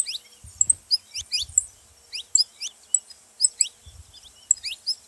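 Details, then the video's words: Saffron finch song meant to spur other cage birds into singing, a run of sharp high tweets and upslurred notes given in irregular clusters, with occasional low knocking sounds beneath. "canário da terra pra foguea seu canário frio"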